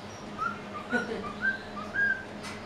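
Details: White-faced cockatiel, hand-fed pet, whistling its tune indoors: a string of clear whistled notes stepping up and down in pitch, spaced irregularly, with a brief soft noise burst midway and low background hum.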